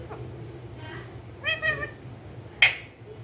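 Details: Green ringneck parakeet kept as a pet and described as talking: a few quiet notes, then a clear harmonic talking-like phrase, followed by one sharp, harsh squawk; steady low hum behind.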